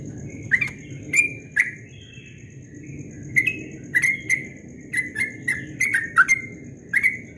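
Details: Yellow-vented bulbul singing ropel at dawn: lively chirped notes in short bursts, a quieter gap early on, then dense clusters of sliding notes, heard over a steady low hum.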